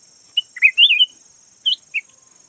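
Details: Caged decoy red-whiskered bulbul (chào mào vàng) delivering one rich liquid warbled phrase followed by two brief sharp whistled notes, in otherwise quiet surroundings apart from a thin continuous high whine.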